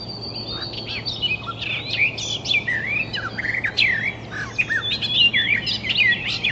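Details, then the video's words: Wild icterine warbler singing a fast, varied warble of whistled slurs, chattering notes and sharp upward and downward sweeps, changing phrase after phrase without pause. A steady low hum runs underneath. "Burung Kicau Alam Liar (Icterine Warbler birds )"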